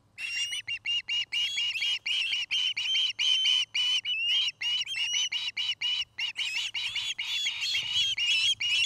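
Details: Nest-camera recording of an osprey pair at Charlo, Montana, afternoon, dated 09-05-2018; a long, steady stream of high, piercing whistled chirps, several per second, some notes sliding upward, with no other clear sounds.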